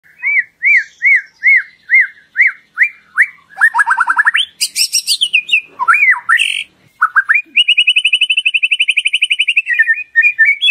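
White-rumped shama singing a varied song: a run of repeated rising whistles, then harsh buzzy and scratchy notes, and a fast rattling trill near the end.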